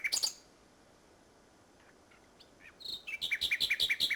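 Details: Common nightingale singing at Salthouse, Norfolk, on 1 May 2011, evening after a bird race day: a brief burst of high notes, a pause, then a fast series of sharp repeated chirps.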